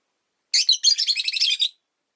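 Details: A caged rosy-faced lovebird, one of five kept by a window, chirping in winter. A continuous rapid chatter of harsh, squeaky notes lasts just over a second.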